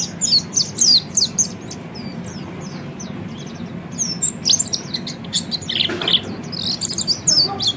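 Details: Oriental white-eye giving its ngeriwik song, aimed at making other birds sing: bursts of quick, thin, high chirps, a quieter stretch in the middle, then dense twittering returns, with a low hum throughout.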